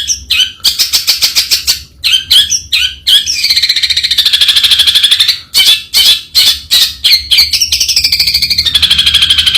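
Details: Long-tailed shrike giving loud, rapid harsh chattering notes, then a drawn-out grating rasp lasting a couple of seconds, followed by further scratchy bursts and another rasp.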